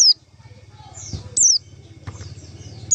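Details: White-eye call used as a trapping lure: brief, high descending whistles at the start, middle and end, with faint softer slurred notes and a low rhythmic hum underneath.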